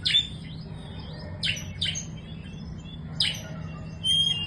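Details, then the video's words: Young Oriental magpie-robin giving short, sharp chirps and quick sweeping notes in scattered bursts, each a fraction of a second, with a steady low electrical hum underneath. "kacer muda"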